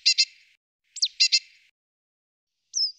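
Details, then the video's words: Great tit calls: two pairs of harsh, buzzy call notes, one introduced by a quick downslurred note, then a thin high whistle, in otherwise quiet surroundings. "Kohlmeise (1) - Rufe"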